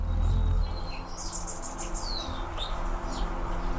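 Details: Red-throated Californian Anna's hummingbirds in fall give a quick run of thin, very high, sharp chirps over about a second, followed by a few scattered higher tweets above steady low background rumble.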